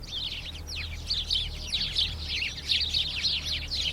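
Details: House sparrow: dense, overlapping bright chirps and short downward-sweeping notes run continuously, suggesting several birds calling at once, over a low steady hum.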